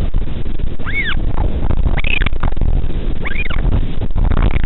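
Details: A northern royal albatross chick is fed by a parent at midnight on Pukekura/Taiaroa Head near Dunedin, New Zealand. It gives three high, arched wailing cries spaced over a second apart, half buried in loud low buffeting wind.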